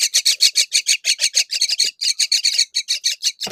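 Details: Myna feeding fig to her babies; rapid rasping chirps repeated about five times a second in a steady even series, then a brief rustle at the end.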